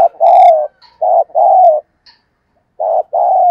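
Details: Spotted dove calling, used to lure and stimulate other doves: loud, clear coos in short groups, each note a low hooting syllable, the longer ones gently falling, with a brief pause before the phrase resumes.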